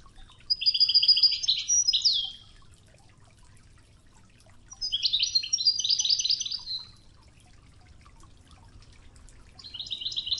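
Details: Training tape of European goldfinch Wedani song, Tougza, mixed with murmuring river water: three rapid, liquid, tinkling twitter phrases of about two seconds each, separated by pauses where gentle flowing water is heard.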